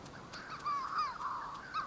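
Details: Manx shearwater in the Hebrides, western Scotland, at its breeding burrows, where birds return at night and pairs take turns incubating eggs, gives a hoarse, wavering, crooning call in drawn-out rising and falling phrases over a faint hiss.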